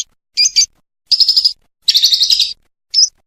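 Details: Lovebird from a contest-bird training recording: four separate short bursts of scratchy, twittering chatter, each under a second, with silent gaps between.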